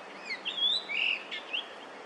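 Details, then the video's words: Yellow-billed grosbeak, a Korean summer visitor, singing in early May 2024: quick fluty whistles sliding up and down, a rich warbled middle note, then short bright closing notes. "밀화부리 울음소리 yellow-billed grosbeak song"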